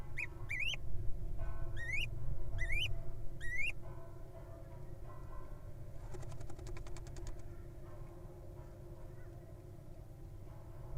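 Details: Little Owl nestling in a nest box, from a brood hatched early June, giving five high rising squeaky notes in quick succession, then a brief dry rattle, against a steady low rumble.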